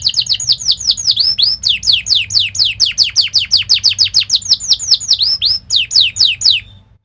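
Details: Canary song used as a training song for young canaries: a long run of loud, clear downslurred whistled notes, repeated about four to five times a second, with brief changes in note shape near the end.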